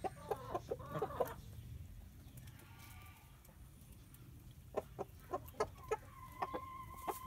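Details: Domestic chickens clucking in short bursts, a cluster near the start and more spaced clucks through the last few seconds, with a quieter stretch between and low background rumble.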